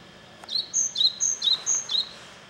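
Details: Japanese tit singing in the mountains of Kanagawa, Japan, on 28 May 2010. Bright, high two-note phrases alternate a higher and a lower whistle, repeated about five times in quick rhythm over a quiet background.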